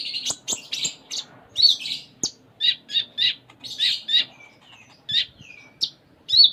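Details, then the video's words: Sunda minivet (konin) in lively 'full isian' song: a quick string of short, high chirped notes and whistled slurs, some rising, others falling, delivered in uneven bursts without background noise. "Konin Gacor Full Isian"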